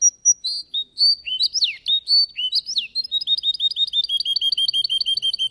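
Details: Russian canary singing at a bird song contest: a few high whistled notes, then swooping slurred phrases, then a fast, even trill of rising chips that carries to the end.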